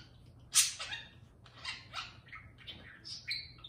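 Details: Pet parakeet serenading a can of beer indoors: a loud buzzy burst, then a run of softer chirps and short warbled notes, rising and falling.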